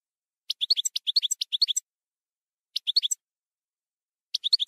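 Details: Campero-style European goldfinch song: quick bursts of high, tinkling twitters, a longer phrase of about a second, then shorter phrases after pauses. Clean, with no background noise.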